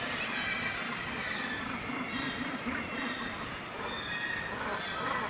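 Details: Northern gannets at a breeding colony on Syltefjordstauran, a steep cliff on the north-east coast of Varanger, Norway. A dense, unbroken din of harsh, grating calls overlaps without pause throughout.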